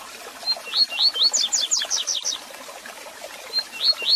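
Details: Double-collared seedeater tutor song in the 'tui tui zel zel' style, sung for training youngsters. Several short upslurred whistles climb into a rapid cascade of paired downward chirps, then the whistles begin again.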